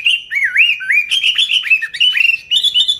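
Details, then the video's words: Continuous warbling song of a sooty-headed bulbul, played to lure bulbuls: clear, looping whistled notes that swoop down and up in quick succession, rising slightly toward the end. "Suara Burung Kutilang Gacor ASLI Tanpa isian, Ampuh untuk Pikat Kutilang bikin kutilang Ribut gacor"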